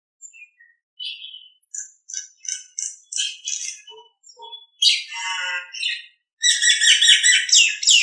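A Nias hill myna gives a varied run of clear whistles, chirps and harsh, buzzy bursts, ending in a loud, high, rasping stretch.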